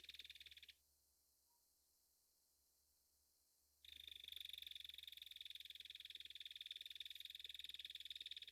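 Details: Rattle call of a belted kingfisher from North America: a brief harsh burst, a quiet pause of about three seconds, then a long continuous rapid clattering rattle to the end.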